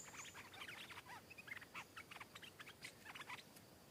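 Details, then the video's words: Wild stripe-throated bulbul singing in reply to a caged rival it comes down to fight; rapid, jumbled chirping phrases throughout, briefly pausing in the middle before resuming. "เสียงนกดอกแตงEp.423 ก่อนหน้านี้มีนกเขาทำหลุด นกป่ามาถึงตัวร้องโต้ลงตีอย่างดุ(Stripe-throated Bulbul)"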